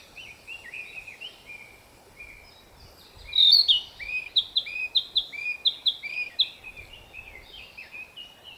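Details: Narcissus flycatcher in spring forest after returning to breed, singing to declare territory; soft warbled notes build into a loud, rhythmic series of paired sharp whistles repeated about three times per second.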